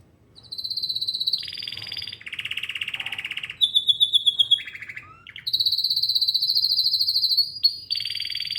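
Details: Canary (Serinus canaria), song.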